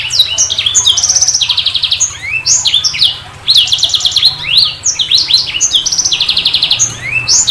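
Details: Sanger bird pouring out lively high song: quick whistles, rising slides and repeated buzzy trill runs over a faint low hum.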